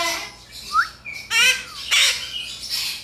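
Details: A pet Yellow-winged Amazon parrot in a quiet room, screaming a lot this morning for no apparent reason (owner wonders if it wants more food), gives two harsh, raspy squawks about half a second apart, preceded by a short rising whistle.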